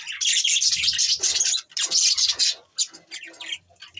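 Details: Pet budgerigars give a dense, busy chatter of high, scratchy chirps and warbled notes in overlapping bursts, with brief pauses near the middle and fainter, sparser chirps toward the end.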